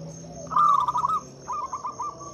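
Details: Zebra dove, local type, singing as a lure for quiet doves: a loud rolling burst of staccato coos followed by a softer, evenly paced series, with a faint continuous high-pitched hum behind.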